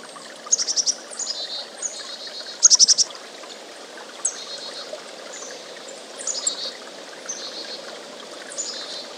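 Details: Chickadee with thin high whistles and slurred notes spread across the recording, and one fast run of four pulsed notes partway through, all set against a constant rushing hiss.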